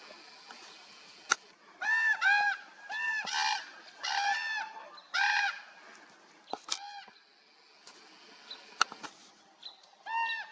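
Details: Flying common ravens, 30 July 2024: a run of nasal, arched, harmonic calls, mostly single or in pairs about a second apart, with a few sharp clicks between them and a pause near the end.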